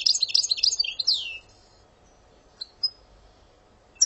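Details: European goldfinch of Algerian song style gives a dense, jangling high twitter that closes with a downward sweep, then falls mostly quiet apart from a few sharp isolated chirps.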